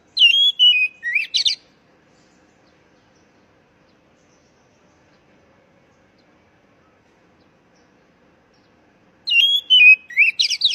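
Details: Oriental magpie-robin lure call for stressed young birds that have stopped singing: a brief whistled phrase with quick chatter at the start and again near the end, separated by a long silence.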